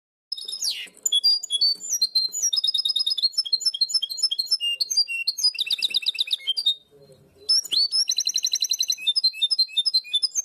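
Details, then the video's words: European goldfinch hybrid singing the primaveras (herrerillo) song style favoured in Barcelona: dense high metallic trills of rapidly repeated notes, switching between phrases, with one brief pause midway. "mixto de jilguero primaveras (herrerillo)"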